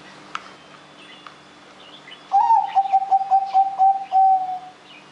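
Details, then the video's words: Zebra dove in full song, played as a lure for other birds. After quiet, a rising opening note leads into a quick series of pulsed, rolling coos lasting about two seconds. Faint chirps from other birds are heard behind. "anggungan perkutut gacor"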